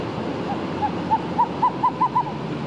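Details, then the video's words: Owl giving seven short, clear whistled hoots that come slightly faster toward the end, set against a constant roaring background like surf or wind. "owl hooting sound"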